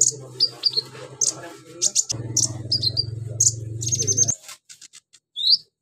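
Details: Sunbird known locally as konin delivers a mimicry-filled song copying crickets, cililin, golden grasshoppers and chicks, with high tweets, quick slurred notes and a sustained thin trill, then a rising whistle after a brief pause, low hum underneath.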